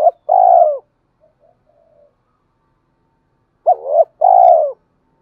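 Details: Decoy spotted dove cooing to provoke rivals and call a mate. Two phrases about four seconds apart, each a quick rising note followed by a full, smooth, low coo, with faint soft notes in between.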